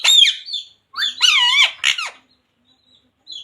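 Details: Talking pet green ringneck parrot saying devotional words like Radhe Radhe; a few loud, harsh, speech-like syllables with wavering pitch, followed by near silence.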